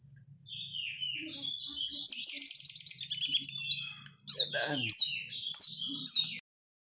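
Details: Oriental magpie-robin lure song in the close 'crecetan' style: a whistled phrase, then a fast buzzy rattle, then sharp high chatters, over a low background hum.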